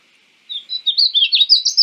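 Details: Painted bunting song phrase: a short, bright sequence of about eight quick high slurred notes, rising and falling in a sweet warble.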